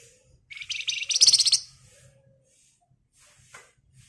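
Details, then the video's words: Javan white-eye singing a lure song for training songbirds: one intense high, rapid, buzzy rattle of about a second, followed by quiet with a faint thin note. "BURUNG FLAMBOYAN GACOR EMOSI NGEBREN RAPAT Cocok buat Pancingan agar cepat Nyaut"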